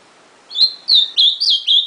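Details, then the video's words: Ultramarine grosbeak singing: after a short silence, four loud whistled phrases, each sliding and warbling, delivered in quick succession and ending abruptly. "AZULÃO CANTANDO"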